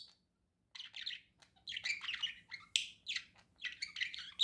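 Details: Budgerigar kept as a pet, warbling steadily after a short silence: dense, scratchy chatter mixed with thin whistles and clicks, notes tumbling one after another with small irregular gaps.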